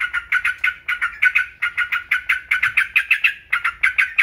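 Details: Yellow-vented bulbul song used as a training recording to stir other songbirds into singing: a fast, even run of short, bright chirps, about six per second, kept up throughout with no pauses and no other clear sounds.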